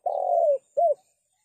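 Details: Spotted dove call recorded clean for trapping lures: one long, steady hooting coo that sags at its end, then a short coo that rises and falls, with silence around.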